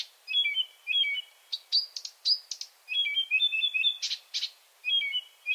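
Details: Varied night song of a Marsh Warbler in Finland: repeated warbling two-tone trills interrupted by sharp whistles and rasping bursts, continuous and lively throughout.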